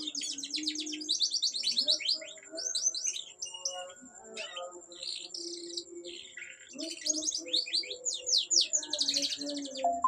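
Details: Canary song: bursts of rapid, rolling trills and sharp repeated chips in phrases separated by short pauses, soft low tones in the background and a steady thin high whine.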